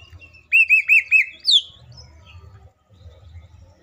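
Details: Green leafbird (cucak ijo) song used as a lure to make other leafbirds sing quickly: four clear arched whistled notes in a row, then a sharp rising whistle and softer twitters over a low hum.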